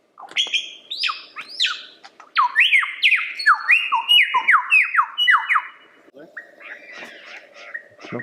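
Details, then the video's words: Lyrebird in full song: dense, loud series of varied whistled notes, many sliding downward, packed in quick succession, then softer chattering phrases toward the end, with a low steady hum beneath. "Lyrebird The Best Songbird Ever!"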